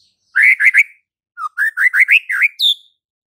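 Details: White-rumped shama song, meant to make a mute bird answer and sing: two phrases of loud, clear, slurred whistles, each note swooping up and down, the second phrase longer and closing on a higher note.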